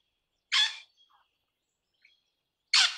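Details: Crimson rosella (Platycercus elegans) parrot giving two harsh, broad screeches about two seconds apart, with faint soft notes in the quiet gap between them.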